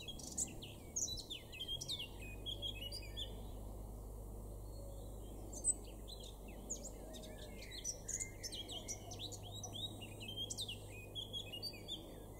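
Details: Male Eurasian blackcap singing repeatedly in a garden in Weener, East Frisia, May 2022: successive bursts of quick chattering notes end in clear whistles, with brief pauses between phrases. A steady low background hum is present.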